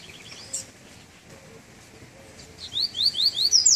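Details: Double-collared seedeater coming out of moult, on its first outing in cold weather: a short burst of quick, high, rising slurred whistles near the end, after faint scattered chirps.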